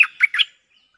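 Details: Cream-vented bulbul lure song, answering a resident bird: three quick bubbly chirps in half a second, the first the loudest, then a faint trailing note; no other sounds.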